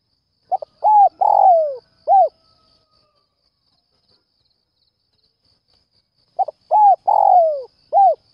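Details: Calling spotted dove at dawn, luring other doves: a phrase of brief introductory note, two bowed coos, a drawn-out falling coo and a crisp final coo, repeated once after a six-second pause.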